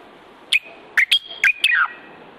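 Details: Moroccan common bulbul, original recording: sharp bright notes linked by a level whistled tone, ending in a slurred falling phrase, five bursts in quick succession.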